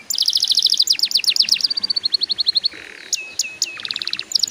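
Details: Song of a canary, meant to encourage young canaries to sing: a quick trill of bright repeated notes slowing into falling slurred syllables, a short low buzz, clipped upward whistles, then renewed rapid trilling.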